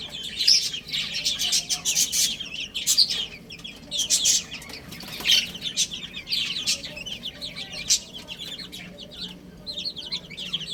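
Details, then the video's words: Many baby chicks peep while eating and playing, with high, short chirps in overlapping bursts and rapid scratchy pecking noises between them. "Cute Little Chicks Chirping Sounds"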